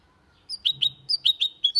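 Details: Hybrid goldfinch × canary, clean Malaga-style song: a brief string of about seven crisp, high chirps at a quick steady pace, with a faint low rumble beneath.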